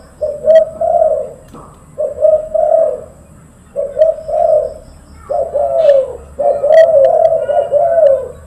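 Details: Spotted dove, a silver-colored bird, calling loudly and eagerly: low, rounded cooing phrases in bursts of two or three notes, the last phrase longer and rolling, with faint chirps from other birds in the background.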